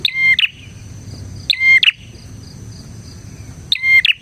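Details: Lively bar-winged prinia song, offered as tutor material and as a lure for prinias: three loud ringing chirp bursts, each a quick stuttered phrase, separated by pauses, with a constant high hum behind.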